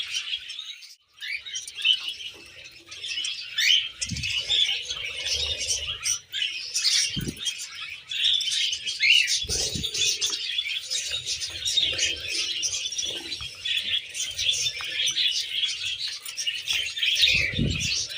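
Budgies and cockatiels chattering together in a dense, continuous stream of high chirps and warbles.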